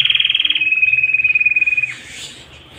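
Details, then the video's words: A canary sings a fast, even trill of high pulsed notes, about thirteen a second, stepping down slightly in pitch before stopping abruptly; a faint low hum lies beneath. "Canary Singing"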